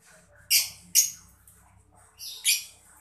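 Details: Brief mocca lovebird chirping, used to get other birds singing: two loud, rasping chirps in quick succession, a pause, then two more harsh notes.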